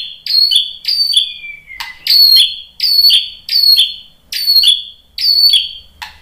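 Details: White-rumped shama answering a lure recording with a high, bright two-part note repeated about eighty times a minute, each phrase ringing and slightly descending, steady and insistent.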